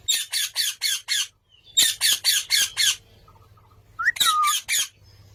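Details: Green parrot giving loud harsh squawks in bursts of four to five rapid notes, pausing between bursts, with one sharper whistled call near the end; quiet low hum in the background.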